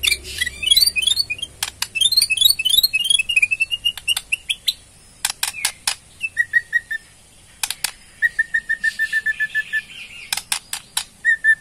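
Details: White-rumped shama of Borneo with ketrekan rattling and varied song: quick high chattering twitters, a run of repeated whistled notes, sharp ticking clicks, then two bouts of fast even whistled note series.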